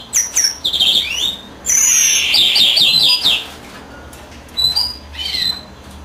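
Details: Singing European greenfinch beside its incubating female: high twittering notes lead into a rapid rolling trill, then softer scattered chirps after a near-silent gap.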